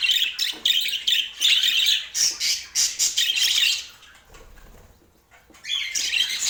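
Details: Pet budgerigar in Portland chattering in pulsing bursts of raspy high chirps for about four seconds, falling quiet briefly, then starting up its twittering again.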